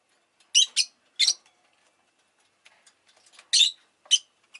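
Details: Pet rosy-faced lovebird chirping: paired harsh high chirps, a brief lull with soft clicks, then more shrill single chirps.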